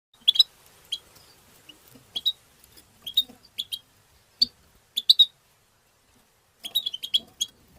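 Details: European goldfinch making its chirping 'batbata' calls: short, sharp, high chips given singly or in quick clusters of two to four, separated by brief silences, with a tight burst near the end.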